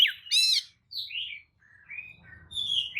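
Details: Oriental magpie-robin lure song meant to provoke other magpie-robins: a falling whistle, a loud buzzy harmonic burst, then separate sliding whistled notes between brief silences, ending in a high whistle.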